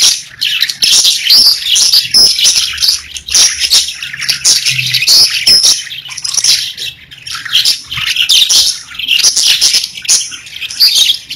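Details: Several pet parakeets sing in an unbroken stream of high, chattering warbles, clicks and squeaky chirps, rising and falling in intensity over the recording.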